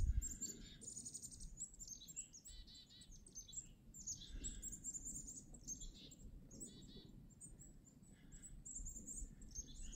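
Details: Several Black-capped Chickadees in snowy winter woods at Devil's Lake State Park give high, thin chips and buzzy twitters in overlapping bursts, over a steady low rumble of wind or distant traffic.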